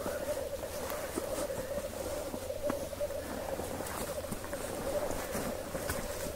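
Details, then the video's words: Black grouse males lekking before dawn in Hedmark, Norway: a steady low bubbling chorus runs throughout, overlaid with scattered clicks and rustling nearby. "Black Grouse lek - Birkhuhn Balz"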